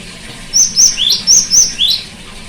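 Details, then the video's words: A cinereous tit sings as therapy for a bird gone quiet: six bright whistled notes in quick succession, alternating high steady tones with lower upslurred ones, clear over a faint background. "terapi gelatik batu macet bunyi"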